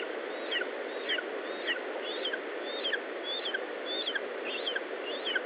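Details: Lesser spotted eagle calling at the nest, Estonia, 19 July 2012, 10:54; evenly paced series of about nine high, descending yelps, each a quick downward slur, beneath a continuous hiss.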